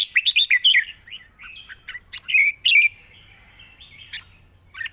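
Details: Red-whiskered bulbul in long song with chatter, wild-style phrasing: quick, sharp, clipped whistled notes repeated rapidly at first, softer warbling in between, another crisp cluster, then scattered single notes.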